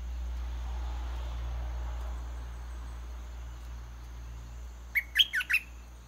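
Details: Decoy red-whiskered bulbul in a cage, singing to draw a wild rival down to fight. Several seconds of steady low hum and insect-like hiss come before a sudden phrase of four bright, warbling whistled notes near the end.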